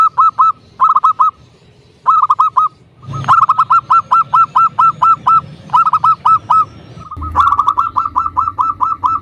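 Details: Zebra dove of a local strain used as a lure to call and provoke rivals. Dense, loud runs of quick hooting notes are interrupted by brief pauses and a low thump.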